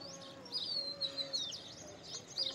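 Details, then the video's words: Indian pied myna in a short run of bright, liquid, slurred whistles with squeaky notes, over a steady low background tone. "Indian Pied Myna (Gracupica contra)"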